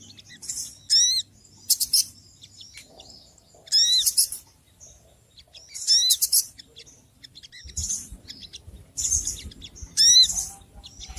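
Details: Noisy little birds giving a run of harsh, high chattering bursts, some with quick downward-sweeping notes, recurring roughly every one to two seconds against a quiet background with a faint low rumble.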